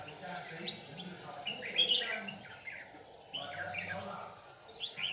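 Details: Red-whiskered bulbul at a trapping site, white-cheeked bird giving an intense "ché" fighting song; quick chirpy, warbling phrases cluster around the second and fourth seconds, with low rumbling noise beneath.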